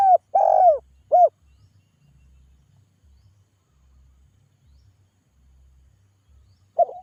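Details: Spotted dove calling so that others will reply. A phrase of three rounded, falling coos opens the recording, the middle one longest. A low hum follows, and one more coo begins at the very end.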